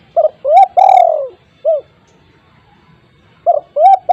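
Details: Loud spotted dove used as a lure for wild doves, repeating its cooing phrase about every three seconds: short note, rising coo, long falling coo, short end note, then the phrase starts again.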